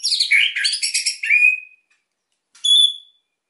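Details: White-rumped shama singing energetically, a song used to provoke quiet birds into singing: rapid chattering, varied phrases, then a clear downslurred whistle, a pause, and one short high whistled note against silence.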